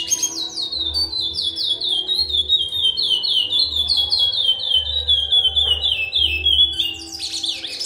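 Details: Curió, or chestnut-bellied seed finch, a breeding male, delivering a fast string of pure whistled notes that slur downward, about four per second, with a steady low hum and brief higher flourishes at the end.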